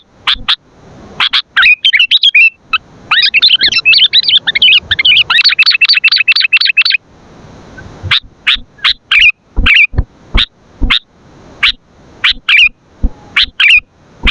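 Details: Sooty-headed bulbul in full 'gacor' song, for luring and training birds: a lively several-second chattering warble of rapid pulsed notes, followed by a long run of sharp, evenly spaced chips with small slurred flourishes.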